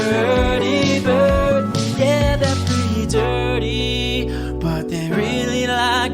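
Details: Upbeat country-style music with guitar and sung vocals plays continuously, with no animal sounds.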